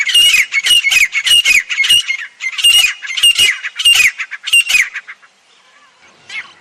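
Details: Jungle grey francolin giving a loud, rasping, ringing call series, notes repeated about every half second for five seconds before trailing off into near quiet with one faint note.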